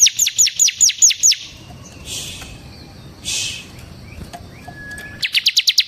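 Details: Semi gacor bar-winged prinia in ngebren song, used to lure and tutor other birds: seven piercing downslurred chirps, a quiet gap broken by two short hissing bursts, then a fast trill-like series of high notes.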